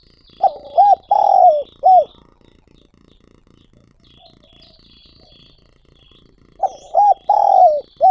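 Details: Decoy spotted dove calling to lure others, recorded directly. Two rhythmic coo phrases, each of rounded coos around a long falling note, are separated by a pause. Thin high chirps of another bird run throughout.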